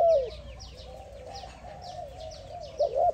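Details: Spotted dove calling to another dove: a short low coo opens and another closes, joined by a soft, steady low hum. Quick, high, descending chirps of other birds repeat across the background.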